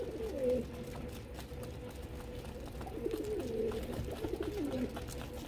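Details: Pigeons at a feeding spot produce a short coo near the start, then a longer run of rolling, wavering cooing phrases, against a steady background hum.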